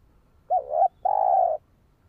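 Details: Spotted dove calling to lure and train a decoy bird: a short wavering note followed after a brief gap by a longer, even, low coo, a clean two-part phrase.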